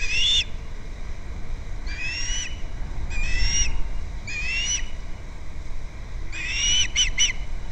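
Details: Osprey at its nest on Captiva, recorded by a live nest camera on February 2nd: four bursts of bright whistled chirps with rising notes, each burst about half a second long. The last burst breaks into quick separate notes. Low rumble underneath.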